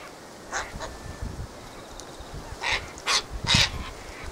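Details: Windy day beside a gathered flock of Sulphur-crested cockatoos: a few faint rasps, then three loud, harsh, grating screeches in quick succession near the end, over light wind.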